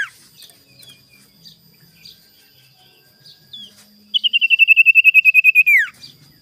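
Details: Morning sirtu song used to lure and anger rival birds: a falling note, then soft faint calls, then a loud run of about fifteen quick, regular, high pulses that ends in a steep downward slide.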